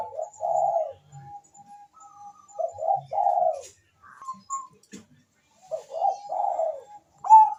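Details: Zebra dove calling, answered by a rival: short rolling coo phrases with thin sustained tones between them, then a quiet spell and a final stuttered coo burst ending in a sharp rising note.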